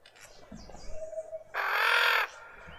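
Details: Suburban garden in Pretoria, South Africa: a female Red-winged starling with an injured beak gives a loud, harsh, scratchy call lasting under a second. Soft cooing is heard before it.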